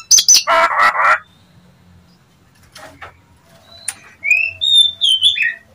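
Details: Lure call of a Nias hill myna, used to provoke other mynas to reply: a loud raspy burst, a quiet gap, then a few clear whistled upslurs and short bright notes.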